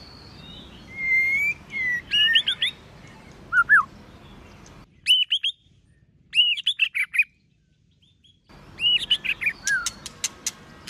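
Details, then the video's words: White-rumped shama in competition song, varied many-voiced phrases: a clear drawn-out whistle, then short bursts of rising and falling slurred notes with crisp clicks, separated by sudden silent pauses. "Kích Chòe lửa hót nhiều giọng,Nghe nhanh Căng, Kích chòe lửa hót nhiều giọng hay.chòe lửa hót đấu"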